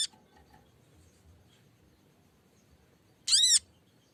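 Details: Lesser green leafbird calling to a rival, as a lure for singing: a long quiet stretch, then a single loud, rasping note that rises and falls, after a brief harsh fragment at the very start.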